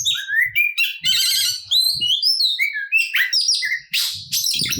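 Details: Oriental magpie-robin in fighting song packed with varied phrases, meant to provoke other magpie-robins into singing. Rising whistled slurs alternate with rapid buzzy trills and harsh bursts; faint low knocks underneath.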